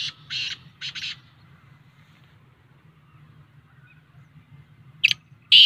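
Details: Black francolin, locally kala teetar, calling in high spirits: a harsh, grating series of loud burst notes, then silence over a steady low hum, before two more sharp rasping notes close the clip.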